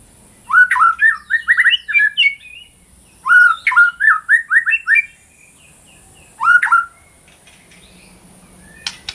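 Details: Female white-rumped shama in breeding condition calling to a male, a recording meant to restart silent singers: three bursts of rapid chirpy whistled notes, each burst opening with a strong rising whistle and trailing into falling slurs, spaced about three seconds apart.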